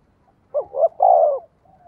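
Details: Trained spotted dove decoy calling to attract wild birds, one loud phrase of two quick rising coos followed by a long drawn-out coo, then soft trailing notes.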